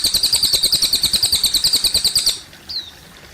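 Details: Cililin song accompanied by trickling water, a fast series of bright, high chirps repeated about three times a second, stopping abruptly, then one short downward-slurred whistle.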